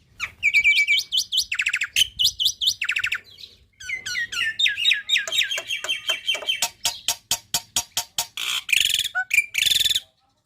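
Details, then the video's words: Black-winged myna song, full 'isian tembakan', for young birds to copy quickly: fast rattling trills and descending whistled series, then a long run of sharp evenly spaced clicks and final harsh buzzy bursts. "Masteran Burung Jalak Putih Full Isian Tembakan Jalak Putih Muda Akan Cepat Niru Suara Jalak Ini"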